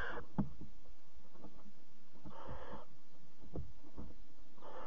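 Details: Nest-box barn owls at 03:00, 26 July 2017, mother delivering a bird to the fourth chick; a short rasping hiss opens, another follows mid-clip, and one more at the close, amid scratching and tapping.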